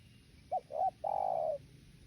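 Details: A spotted dove gives its three-part coo, a brief soft note, a slightly longer second one, then a sustained, even hoot. Faint hiss sits behind the call.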